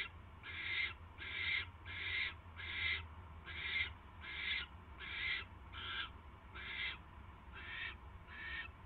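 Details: Barn owl at the nest at night, 10:22 PM on 22 January 2016, bringing a mouse. Eleven harsh, hissing screech bursts, each about half a second long, repeat roughly every 0.7 seconds over a steady low hum.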